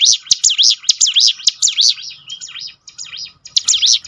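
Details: Song of a mountain prinia, meant to stimulate other birds to sing: quick, shrill, zigzagging whistled notes with crisp clicks, a brief lull near the middle, then renewed high notes.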